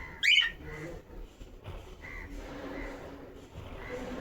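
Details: Cockatiel kept as a pet, dancing: one sharp, harsh screech bursts out near the start, followed by faint, soft tonal whistles scattered over a low room hum.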